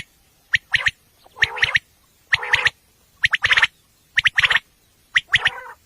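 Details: Common quail calling at night, a recording used for hunting, described as female: six evenly spaced bursts, each a quick set of sharp triple notes trailing into a short rasping buzz.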